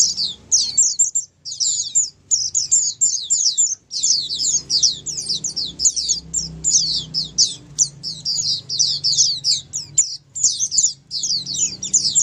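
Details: Ombyokan chorus of many Oriental white-eyes, clear and lively, meant to get sluggish white-eyes to join in and sing regularly. Sharp, high twittering notes run in continuous busy streams with short breaks, over faint low hum.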